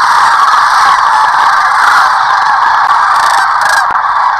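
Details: Large flock of sandhill cranes taking off and landing during spring migration along the Platte River in Nebraska, caught by a sanctuary live camera; dense, continuous rolling din of many overlapping trumpeting calls with no pauses.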